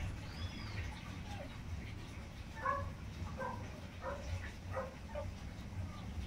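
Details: Tinamou chicks, inhambu-preto and sururina young, giving short, soft whistled peeps in loose irregular series around mid pitch, several notes clustered between three and six seconds, over steady low rumbling background noise.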